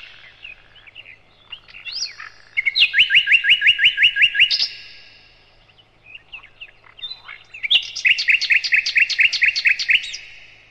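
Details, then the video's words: Sikatan londo, or nightingale, singing on a training recording for cage birds: soft twittering, then a rapid series of about ten crisp repeated notes, a pause with scattered chirps, and a second fast repeated run. "Materan Burung Sikatan Londo"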